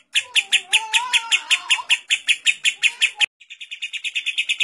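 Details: A lovebird with a kapas tembak fill gives a long ngekek meant for training lovebirds: quick raspy chirps over a lower wavering whistle, a brief click and gap, then softer rapid chirps resume.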